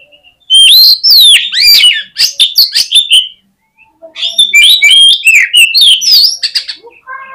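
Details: Oriental magpie-robin fighting song to stir up rival birds. Two dense, loud bursts of quick, swooping high whistles and sharp chips are divided by a short pause.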